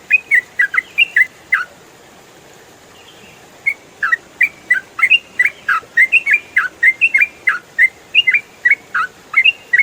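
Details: Rapid 'ropel' song of a yellow-vented bulbul (trucukan), used as songbird training audio: a short burst of chirps, about two seconds of quiet, then a long lively run of crisp, up-and-down notes.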